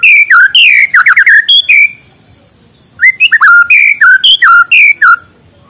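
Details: White-rumped shama singing in the morning, played to stir lazy shamas into song: loud, rich whistled phrases sliding down and up, delivered in quick bursts, then a pause of about a second before a second run of fluty notes.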